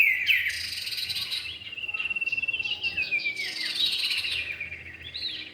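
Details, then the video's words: Male and female common iora calling for bird luring: a sharp falling whistle opens, then a long sustained thin whistle with a pulsing trill, followed by a burst of rapid chattering notes. "pikat burung cipow jantan dan betina"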